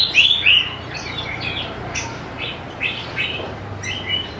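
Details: Lure song of a greater green leafbird for prompting young birds to sing: loud bright whistled notes at the start, followed by softer scattered chirps and short warbled phrases spaced irregularly.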